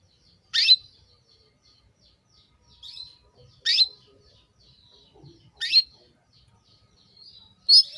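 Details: Female canary calling to a male, intended to bring him into breeding condition: short sharp high chirps given singly about every two seconds, with quieter softer notes between, in otherwise quiet surroundings.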